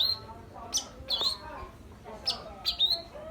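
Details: Long-tailed shrike uttering high, thin whistled chips in pairs, with brief scratchy bursts between them and soft lower tones behind.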